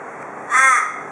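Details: Australian raven at a porch in Perth, Australia, a cautious daily visitor, giving one short, harsh, nasal caw of roughly a third of a second, part of the "cock a doodle doo" call typical of Perth ravens, with a faint steady hum behind.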